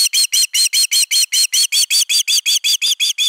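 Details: Osprey at its nest, defending it on 31 August 2021: about sixteen piercing whistled notes delivered evenly and quickly, each clipped and slightly downturned, with no other sounds.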